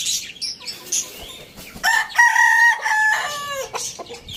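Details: Rooster crowing in the morning: one long, harmonic-rich crow held for more than a second, steady and slightly falling at its end, after scattered clucks and high, thin chirps of small birds in the background.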